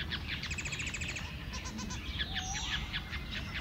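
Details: Society finches in their mating process at a bird farm in Sidoarjo, East Java, Indonesia: a fast run of high, scratchy chirps, then scattered twittering notes over a steady low rumble.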